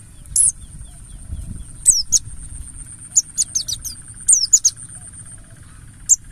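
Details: Mountain white-eye, Buxtoni type, giving 'ngalas' wild-style song as a lure for other birds: scattered short, very high chirps, then a rapid string of thin notes, against low rumbling background noise.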